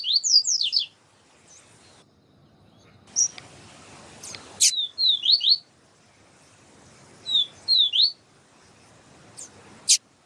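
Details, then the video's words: Short groups of two to four high, rising, slurred notes from a double-collared seedeater, scattered through the recording between sharp clicks and soft hiss; the female is calling to stimulate the male. "Papa capim siu siu Melodia com Fêmea chamando para Esquentar papa capim siu siu"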